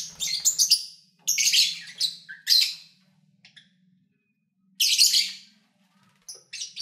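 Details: Pet lovebirds, recorded 8 February 2019 while eating, playing and singing, give loud raspy squawks and shrill chirps in bursts about a second apart, over a steady low hum in the background.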